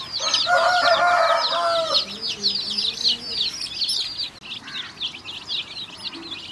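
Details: Several colored chicks feeding give rapid high peeps, about four a second; for the first two seconds a louder, lower tonal hen call with stacked harmonics sounds over them, then peeping continues more quietly.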